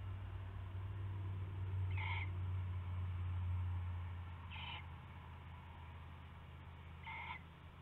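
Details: Owl calling in the small hours of February 19, 2016, around prey rabbit exchange; three short, harsh harmonic calls spaced about two and a half seconds apart, over a strong low hum.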